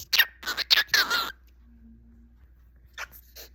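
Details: A pet cockatiel, described as a singing whiteface or normal bird kept indoors, gives a rapid cluster of bright chirps and slurred whistles over just over a second. After a silent gap it adds a shorter chirp pair.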